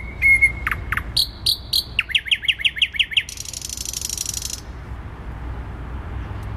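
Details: Thrush nightingale song, central Warsaw, 12 May 2020: a pure whistle and sharp clicks lead into a fast run of repeated falling notes, ending in a long harsh rattle, traffic hum below.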